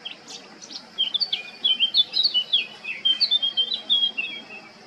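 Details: Male Eurasian blackcap at Baška, island of Krk, Croatia, recorded 20 July 2022, opening with a few sharp high notes, then pouring out a rich, fast warble of fluty, varied phrases.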